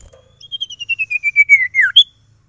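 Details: Loud song of a caged sirtu: about a dozen rapid whistled pulses that steadily drop in pitch. The run ends with a curved downward sweep and a sharp high note.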